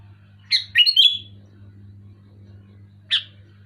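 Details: Sooty-headed bulbul in loud, clear song to encourage quiet bulbuls to sing: a quick bubbly three-note whistled phrase, then after a pause a single short sharp note, over a low background hum.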